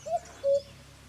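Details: White-throated laughingthrush (Garrulax albogularis) at Chopta, Uttarakhand, India, in May gives two low, pure whistled notes about a third of a second apart, the second longer and steadier, over faint hiss.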